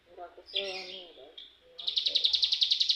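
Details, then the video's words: Young cigun learning rapid ngebren song: human voices talk at first, then a fast, steady trill of high buzzy pulses starts and continues to the end. "cigun muda belajar ngebrem ak47"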